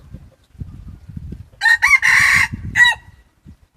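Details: Crowing red junglefowl used as a decoy cock in challenge contests: two short opening notes, a long sustained middle syllable, and a clipped final note, over soft low background noise.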